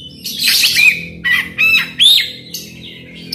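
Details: Oriental magpie-robin (kacer) in full song, used as a lure to make a silent bird sing out, with rough mimicked fill-ins: a dense scratchy burst, then three clear upslurred whistles separated by short pauses.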